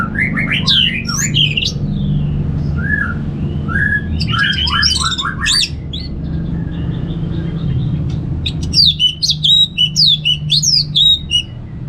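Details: Orange-headed thrush, Singaraja, Bali, in ngeplong style as a lure for kept birds: a dense, varied stream of sweeping whistles and sharp high notes, ending in a rapid series of high chirps, with a steady low hum.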